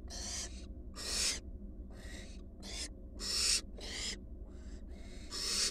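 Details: Wild barn owl fledglings, four returning to their nest box, give harsh broadband hissing screeches, overlapping bursts of varied length from more than one bird, about one every two seconds, over a steady low hum.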